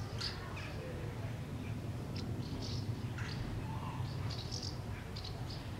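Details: House martins in a street in Beek-Ubbergen, Netherlands, on September 9, 2012, give short, dry chirruping calls. The calls are scattered and overlapping at a quick, irregular pace over a steady low rumble of background noise.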